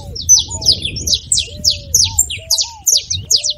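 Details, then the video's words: Lively saffron finch song meant to spur a canary into singing: loud, buzzy, high notes, each dropping in pitch, in a steady rapid series, with low curved whistles from another bird in the background. "canário da terra com belo canto pra foguea seu canário frio"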